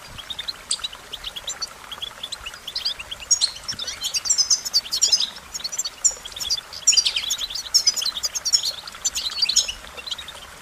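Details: Song of the American goldfinch: long, rambling series of high, sweet twittering and chirping notes growing denser midway, with faint natural background noise.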